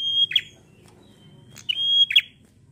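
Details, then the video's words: Song of a bar-winged prinia in lively 'gacor ngalun fighter' style, played to provoke other prinias. Two bright sustained whistles, each finished by a grating buzzy flourish, separated by a quiet pause. "Suara prenjak Gacor ngalun fighter mantul!"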